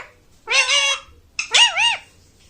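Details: Pet Indian ringneck parakeet giving two harsh, rasping vocal phrases about a second apart, the second with a wavering, up-and-down pitch like mimicked speech, in a small quiet room.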